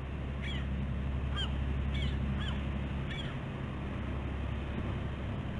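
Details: A busy morning of 15 August 2016 at a bald eagle nest on the West End of Catalina Island, California. Five thin, squeaky notes with a slight downward bend sound roughly every second above a loud, steady low hum.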